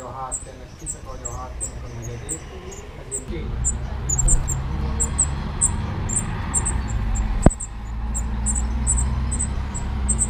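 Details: At a nest among screws in Dombóvár, Hungary, in June 2017, a spotted flycatcher gives a rapid run of thin, high-pitched call notes over a low background rumble, with a brief sharp click midway.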